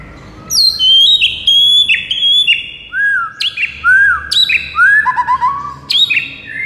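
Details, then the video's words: White-rumped shama (murai batu) song, meant to get a shama answering within seconds: loud, clear whistled phrases, some sliding down from high notes, others short rising upswept whistles, with brief pauses between bursts. "JADIKAN MURAI BATU NYAUT DALAM HITUNGAN DETIK SAJA"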